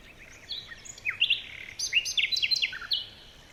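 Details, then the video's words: Morning forest birdsong made of clear, high, slurred chirps, some falling and some rising, in a lively overlapping series with little background noise. "Morning birds chirping sounds"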